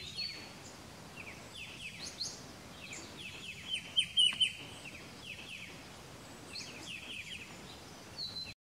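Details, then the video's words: Striated bulbul, Pycnonotus striatus, Pelling, Sikkim, India, May: repeated short downslurred chirps over several seconds, a louder sharp cluster midway, with faint higher notes and soft outdoor noise behind. "Striated Bulbul"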